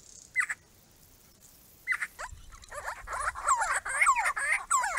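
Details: Grey-crowned Babblers from a small group visiting a garden pond built for them: two short separate squeaky notes, then a pause, then a rising burst of fast overlapping chattering and falling whistled notes from several birds.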